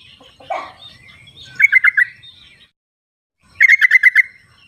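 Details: Sooty-headed bulbul singing wild, played to draw song from reluctant birds. A rough note opens, then two quick rippling bursts of six to seven even, liquid notes about two seconds apart.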